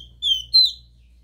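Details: Copper seedeater, 'Dó Ré Mi' song style, used to stimulate a captive bird: two sweet whistled notes, the second higher and louder, sliding slightly downward at its end.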